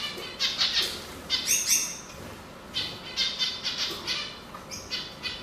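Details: Canary singing, male or not: short bright trilled phrases and a sharp whistled note, several bursts in a few seconds with light background noise.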